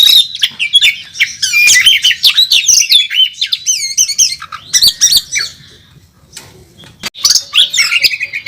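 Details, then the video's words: Oriental magpie-robin singing hard during a bird contest, a national first-place winner with full imitations: loud rapid warbled and whistled phrases, dense bursts, a quieter pause near the end, then renewed high whistling. "Burung Kacer Tarung Ngobra ngotot saat di trek"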